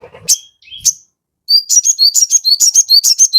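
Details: Crested jay in full song, used as a lure to make other birds answer quickly: a few downslurred whistles, then a fast run of sharp, high chirping notes with a rhythmic, chattering pulse.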